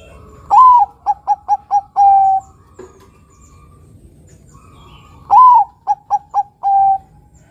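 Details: Zebra dove (perkutut) of a Bangkok–local crossbred line, singing in the deep, long 'nutut' style: a rising swooped opening note, a quick run of four clipped notes, then a drawn-out level coo, repeated twice.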